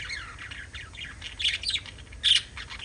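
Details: A family of five pet budgies chatters in a steady run of fine, scratchy twitters, rising to a few louder squawky notes near the middle and end.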